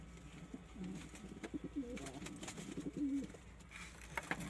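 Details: Low pigeon coos in a short sequence: soft purring rolls ending in a drawn-out, slightly higher moaning note, with tapping and scratching sounds around them.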